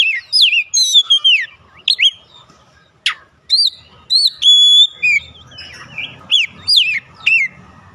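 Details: Lure song of a white-rumped shama for making other birds sing, a sequence of descending whistled slurs, one sharp click, long pure whistles and repeated down-swept notes with faint low background rumble.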